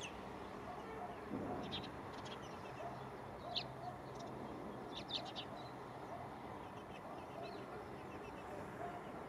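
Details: At Gáldar, Gran Canaria, in February 2023, a Spanish sparrow picking a place for its next brood gives scattered sharp chirps, a few clustered around the middle, against a constant low rumble.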